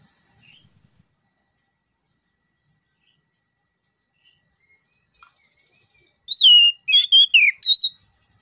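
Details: Lure song of an orange-headed thrush (anis kembang) meant to prompt a quiet bird to sing: one high descending whistle, a long pause, then a rapid cluster of bright warbled, looping notes.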